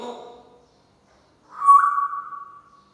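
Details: African grey parrot kept as a pet imitating SubhanAllah: a soft voiced syllable followed by a long, steady whistled tone.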